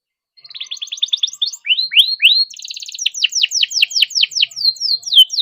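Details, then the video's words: Continuous canary song meant to coax silent canaries into singing: rapid chirp trills, rising swept notes, a buzzy rattle, then quick descending slurred notes repeated about four per second, with no background noise. "burung kenari gacor panjang nembak rapat cocok buat pancingan kenari macet"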